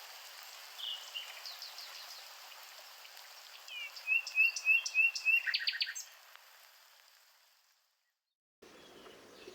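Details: Nightingale singing: a soft opening note, then a fast series of five or six sharp, upward-slurred whistles followed by a dense buzzy burst. The song breaks off into brief silence, with faint background noise afterward.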